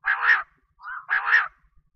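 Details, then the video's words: Female quail (batair) giving two harsh, raspy, buzzy bursts about a second apart, with a softer, lower rasp between them, against a quiet background. "Batair ki awaz||Quail ki awaz||Female Batera voice"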